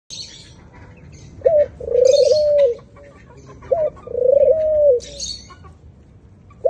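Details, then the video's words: White doves cooing: a short low rising note followed by a long, level, smooth coo, repeated twice about two seconds apart. Bright high chirping from other small birds sounds alongside. "White doves k itni pyari voice"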